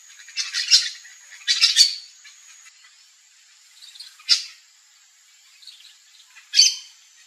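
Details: Yellow-chevroned parakeet (Brotogeris chiriri) among backyard fruits, giving harsh, shrill screeching calls: two quick doubled bursts in the first two seconds, then single loud screeches at about four and six and a half seconds, over a steady high-pitched hiss.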